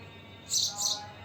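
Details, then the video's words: House sparrow, known locally as goreya, uttering two sharp high chirps close together over a soft steady background hum. "Sparrow / Goreya soothing chirping sound - A beautiful movement / House Sparrow Sound / Chirping"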